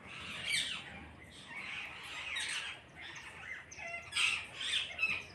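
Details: A group of parrots squawking together: rough, grating calls overlap throughout, growing louder and busier in the final second and a half.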